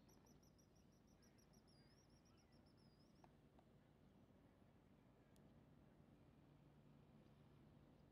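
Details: A pigeon guillemot beside a ferry dock on Vashon Island, Washington, 20 June 2012, where they nest under the dock, gives a quick series of thin, very high whistled notes running into a wavering trill, over a steady low rumble.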